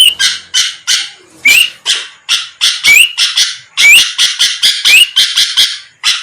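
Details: Sooty-headed bulbul provoking rival birds with a long, lively run of harsh chattering bursts, sprinkled with repeated sharp rising whistles, the pace quickening toward the end.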